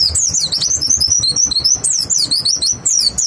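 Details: White-eye lure song for prompting other white-eyes to sing: dense, high, warbling whistles running without pause, sweeping up and down in quick loops.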